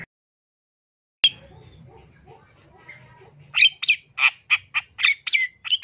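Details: East Java long-tailed shrike with a song full of mimicked fillings, used to coax other shrikes into singing: a click and low murmuring background, then a quick series of harsh, buzzy notes in the final two seconds.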